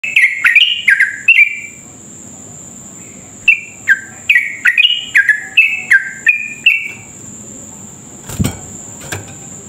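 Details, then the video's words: Yellow-vented bulbul, an energetic long rapid-fire song used as a lure to stir other bulbuls into singing. It gives quick bursts of bright, downward-slurred chirps, then falls quiet. A steady high electronic whine runs throughout, with a few clicks near the end. "trucuk gacor ropel panjang cocok buat pancingan trucuk cepat ropel"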